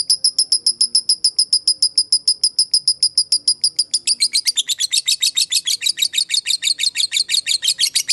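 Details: Fighter lovebird's ngekek, a long trill used as a lure to make other lovebirds reply. Shrill repeated notes come roughly three a second, crisp and uniform for four seconds before breaking into a harsher, fuller chattering run.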